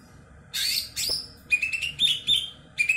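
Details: Ex-contest Greater green leafbird, kebo type, starts with two harsh rasping bursts, then a quick series of bright whistled notes rising in pitch, with a final whistled phrase.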